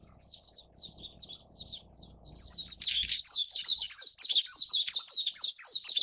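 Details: Feeding chicks, a Japanese White-eye gives quiet high twitters that build into a loud, fast stream of sharp, sliding chirps, several notes per second, with faint low rumble early on.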